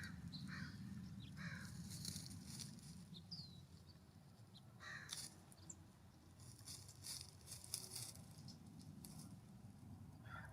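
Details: California Scrub-Jays discovering treats at a ground feeder on a warm September morning; scattered short, harsh rasping calls heard over steady rustling and scratching of birds moving on the ground.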